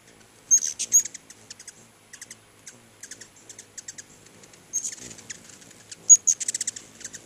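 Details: A crowd of hummingbirds at two feeders outside a house keeps up busy, very high ticking and chattering, with denser squeaky bursts near the start and end.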